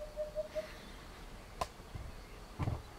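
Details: Eurasian hoopoe at Chieri, Piedmont, Italy, giving three soft, low, hollow hoots in quick succession, evenly spaced, followed by a couple of sharp knocks or clatters nearby.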